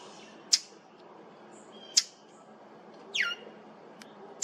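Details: Brown thrasher giving an unusual sound at Maple Groves Cemetery, July 8, 2023: sharp snapping clicks about every one and a half seconds, with one down-slurred buzzy note dropping in pitch between them.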